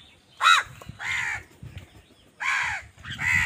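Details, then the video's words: A sharp, short caw is followed by three longer, rasping caws at uneven intervals. Angry crows are fighting wild birds for food. "Wild birds fight with crows for food | Crow bird unity anger and sund | Angry kawa ki awaaz"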